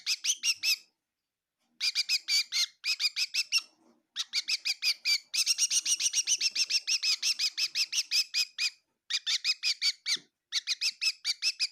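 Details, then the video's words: A bird chirping indoors in a kitchen at Tseminyu, Kohima: bursts of rapid, high, sharp chirps in quick runs, broken by short silent gaps, with nothing else audible. "Amazing bird in my kitchen chirping bird sounds of bird"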